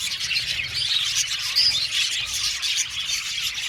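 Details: Budgerigars in an aviary colony of about seventy pairs: busy, high-pitched chattering with a few sharper squeaky notes standing out over the continuous flock twitter.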